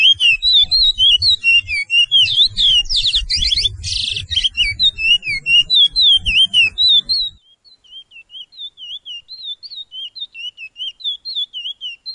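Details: Training song of the Suriname curio (Chestnut-bellied seed finch), 'pije pije' style, for caged birds: about seven seconds of dense, rapid warbled whistles over a low rumble, then a steady run of clear, wavering whistled notes, about four per second.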